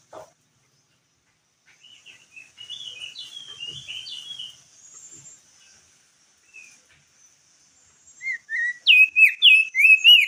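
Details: Crested white-eye singing lively, clear-toned song used as a lure for other birds: scattered high chirps, then a burst of rapid, sharply rising and falling whistled notes repeated about three times a second near the end; quiet background.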